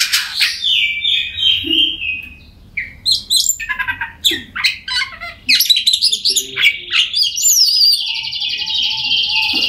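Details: Oriental magpie-robin song for prompting silent birds to sing, opening with repeated chirps and a drawn-out whistle, then dense buzzy phrases and a long high rippling trill to the end.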